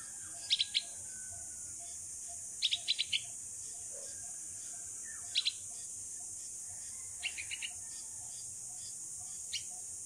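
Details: Sixteen-day-old bulbul fledgling, adopted after a fall from the nest, calling to its mother during flying practice outside: short clusters of two to four piercing chirps every two seconds or so, the last groups softer.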